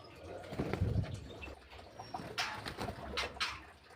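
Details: Birds in an aviary quarrelling at feeding time: a low, throaty cooing at the start, followed by sharp bursts of wing-flapping and scuffling.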